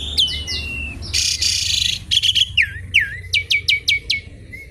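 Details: Asian pied starling in full song, used as a lure and as training material for other birds. Clear whistled notes and a harsh noisy burst, then a falling slur and a quick series of sharp repeated whistles.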